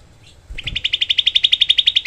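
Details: Grey-cheeked bulbul, a tiny bird prized for its close, rough 'tembakan' shots, recorded as a tutor for training songbirds. A loud, steady rattle of about eighteen sharp notes comes in quick, even succession.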